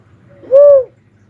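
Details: One rounded, dove-like whistle from an uncal, or cuckoo-dove, gently arched in pitch and about half a second long, over a faint low rumble.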